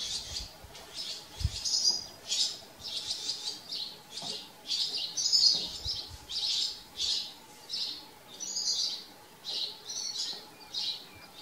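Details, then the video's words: At a farm, house sparrows give a busy chain of chirps, some overlapping, coming about twice a second with a few louder peaks. "House sparrows live at farm. Haussperlinge leben auf Bauernhof"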